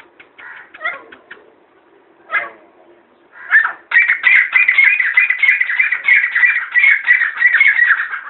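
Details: Grey francolin, known locally as gora teetar, from Pakistan: after a few scattered harsh notes, a fast, steady run of loud, grating, repeated notes begins midway and continues to the end.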